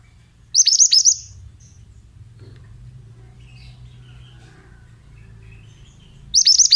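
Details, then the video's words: Male Oriental magpie-robin of the mountain type giving a short rapid run of high, sharply falling notes, then a long quiet pause before the same burst starts again at the end. "Terapi Suara Burung Mantenan"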